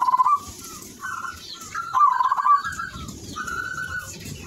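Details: Zebra dove (perkutut) in full, vigorous song: rolling, trilled cooing phrases near one pitch, a loud opening burst then two longer buzzy rolled notes separated by short pauses, with faint background noise.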